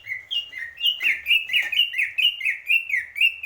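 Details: Greater green leafbird delivering a steady stream of bright, slurred whistles, each dipping or rising, about three a second, with a couple of faint clicks behind.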